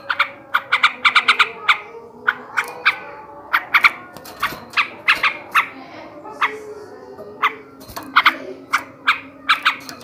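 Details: Ngebrem ngekek garuda chatter from a male sooty-headed bulbul, played to stimulate breeding and prompt other bulbuls to sing. Quick bursts of sharp, ringing notes, some rapid runs, others spaced, over faint background noise.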